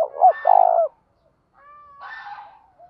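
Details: Spotted dove decoy calling wild doves in the morning: a hooked coo and a long throaty coo, then a thin steady tone and a harsher, broader call from another bird.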